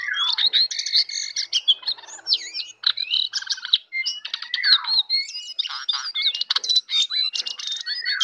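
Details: A jongkangan sings in the morning, pouring out rapid warbled phrases, looping whistles and crisp chirps in a continuous, varied stream.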